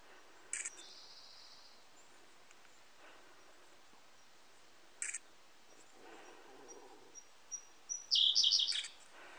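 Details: Siberian blue robin singing in a forest: a few sharp, high ticks and a thin whistle, then a loud, quick burst of rattling high notes near the end.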